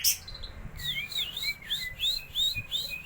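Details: White-rumped shama song played as a lure to provoke other birds: a fast series of bright, arching whistled notes repeated about three times a second over a loud steady hiss.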